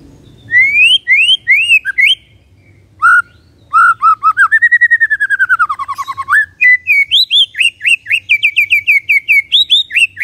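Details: Kretekan of the white-rumped shama (murai batu), meant to stir up emotion: rising whistled upslurs, a rapid evenly spaced series of notes swelling into a long arched whistle, then a fast run of repeated high chirps; faint low background rumble.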